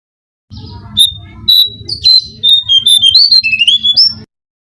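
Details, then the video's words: Brown-cheeked fulvetta singing, recorded as a bird-catching lure: long level whistles, then a fluid sequence of slurred notes dipping and rising, over a continuous low hum. "suara pancingan burung jongkangan (cingcoang coklat)"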